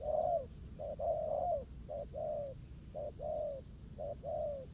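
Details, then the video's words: Wild spotted dove answering a ground decoy in a trap during a contest, cooing strongly: low mellow coos in paired phrases, a short clipped note followed by a longer slurred, slightly falling note, repeated about once a second over steady background hiss. "Bẫy cu gáy mồi đất. Kèo đấu quá hấp dẫn, bổi gù quá tốt."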